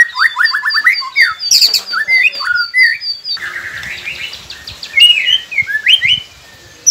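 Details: White-rumped shama training song meant to prompt silent captive birds to sing: a fast run of repeated whistled notes, then varied warbles and slurred whistles. An abrupt cut midway brings a hissy background.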